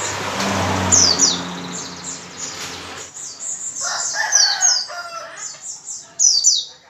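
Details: Busy white-eye 'gacor' song, intended to make other white-eyes sing. A noisy low rumble covers the first three seconds, then high quick down-slurred whistles come in repeated bursts.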